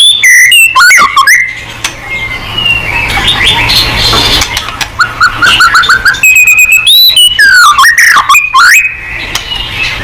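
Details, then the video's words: White-rumped shama song used to make other birds respond: varied loud whistles, sweeping slurs and rapid chips, a noisier middle stretch, then fresh bursts of rich whistled phrases. "TERAMPUH!!! MURAI BATU GACOR|Hanya cukup 5 detik Langsung NYAUT!!"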